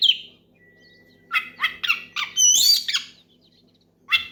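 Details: Oriental magpie-robin giving a loud ngeplong song aimed at a rival, meant to set other magpie-robins singing. A short whistle and a long thin tone lead into a rapid run of harsh, buzzy notes and bright upward whistles, then silence and one final burst.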